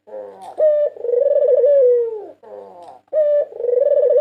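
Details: Champion white Barbary dove from a 2022 national contest, recorded for use as a lure: a rapid, throaty trilled coo rises into a long vibrating purr that falls away, then repeats with a sharp opening note.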